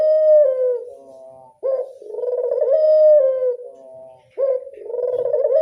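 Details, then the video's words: Classic-style coo of a local Barbary dove: a long, smooth, slightly falling tone, then a short pause and a rolling, vibrating coo that swells and fades, in clear close sound. "Angungan burung puter lokal suara klasik"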